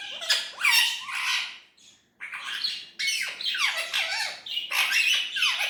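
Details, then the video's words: Indian ringneck parrot giving loud, harsh, raspy squawks with descending harmonic sweeps, delivered in long noisy bursts after a brief pause, in a quiet indoor space. "Natural talking parrot voice"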